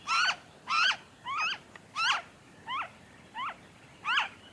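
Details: A noisy friarbird in Victoria, Australia, February 2023, gives seven harsh, nasal, strongly harmonic notes, each with a quick rise and fall, repeated about every two-thirds of a second.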